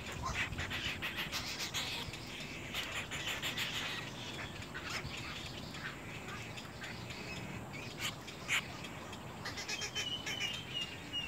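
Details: Little egret young birds fighting; rasping, buzzy squawks repeat rapidly in broad bursts, with a thin whistled note from another bird near the end and steady background hiss.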